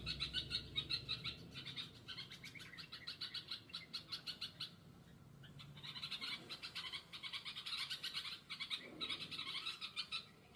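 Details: Bulbul mother hunting for her chick: quick pulsed chirping in bursts, a brief pause near the middle, then the fast repeated notes resume strongly to the end.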